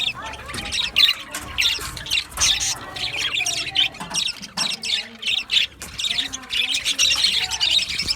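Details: A flock of budgies in an aviary chirps and squawks in short rhythmic bursts about twice a second, scratchy and high, with brief gaps between volleys.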